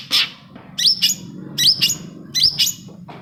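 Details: Long-tailed shrike lure song for coaxing reluctant shrikes into singing, with paired bright chirps whose notes swoop upward, repeated at a fairly even rate of about one pair per second, with a soft low hum underneath.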